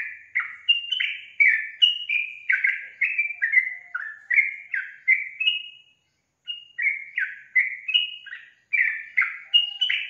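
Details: Yellow-vented bulbul singing vigorously: a long, almost continuous string of bright, liquid, downward-sliding whistles, several per second, broken once by a short pause.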